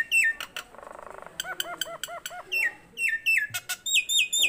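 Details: Tame Nias hill myna in full, lively voice: sharp rising whistles and clicks, then a buzzy rattling trill, a run of looping bell-like notes and ringing harmonic whistles near the end.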